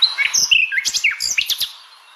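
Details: Nightingale singing: a loud, rapid burst of varied whistled notes, sharp upslurred and downslurred phrases and short clicking trills packed into under two seconds, then fading to a quiet hiss.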